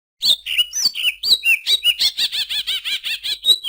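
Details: A greater green leafbird sings a few slurred whistled notes, then a fast, even run of bright, buzzy chirps repeated about four times a second.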